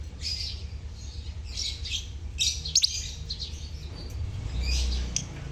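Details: Colony lovebirds, used to encourage silent birds to sing, give rapid high chirping in bursts with brief pauses and a couple of sharp ticks. A low droning hum runs underneath.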